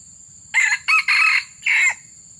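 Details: Red junglefowl crowing as wild junglefowl are being lured: a full crow of four harsh, buzzy syllables, short, short, longer, then a final drawn-out note after a pause, over a faint steady hiss.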